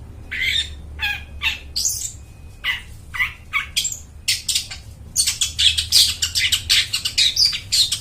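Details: Chatty long-tailed shrike song for luring forest birds: spaced harsh, buzzy notes and slurred whistles that break into a dense, rapid chattering stretch in the second half.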